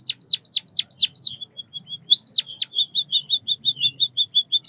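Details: Chirping of a white-headed munia (Lonchura maja), bondol kaji: quick high downslurred chirps, a pause of faint short notes, then a steady string of clipped twittering notes repeated several times a second.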